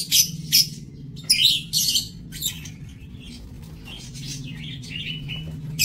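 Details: Captive lovebirds in a breeding aviary, 7 June 2024, making piercing chirps and squeaks in quick bursts over the first two and a half seconds, then softer twittering chatter, with a low steady hum beneath.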